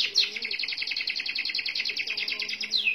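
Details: Merlok canary in long one-breath roll: a rapid, even, high trill of pulsed notes lasting three seconds, ending with a brief descending whistle.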